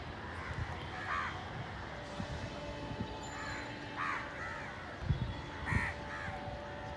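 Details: Village crows fighting over food give three harsh, nasal caws spaced about every one and a half seconds over a steady low rumble of traffic or engine noise.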